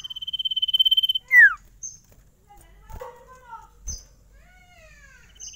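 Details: Sirtu bird: a fast pulsed trill swelling in loudness and ending in a loud descending whistle, followed by scattered softer chirps, thin slurred notes and faint knocks.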